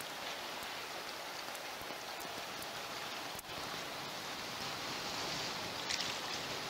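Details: Continuous rain-like hiss with occasional drop-like clicks and one sharp knock midway, with no animal calls.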